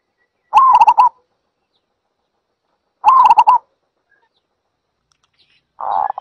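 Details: ['Zebra dove repeating a rapid run of short, rolling coos in half-second bursts roughly two and a half seconds apart, with a fainter, rougher sound starting at the end.']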